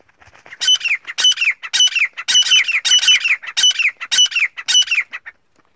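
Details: Male francolin (teetar) calling to a female: loud, ringing, harsh multi-note phrases, each ending in a downward slur, repeated in a steady rhythm about every half second, then stopping, against a quiet background.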